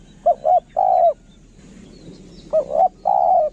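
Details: Decoy spotted dove, kharom style: two short coos then a long smooth coo, a pause with faint noise, then the same three-note phrase again.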